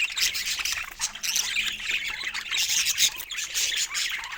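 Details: Rapid, twittering budgie chatter in a pet bird group: sharp high chirps and squeaky squawks overlap densely, rising and falling in loudness every second or so.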